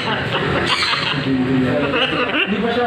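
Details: Blue-and-yellow macaw (Ara ararauna), speech mimicry.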